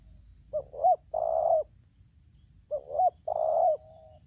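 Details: Spotted dove from Lampung, a decoy bird luring a wild bird, singing the 'tarik akar selang nguku' style: two quick rising coo notes then a long, rough, sustained coo, phrase given twice, with a faint trailing note.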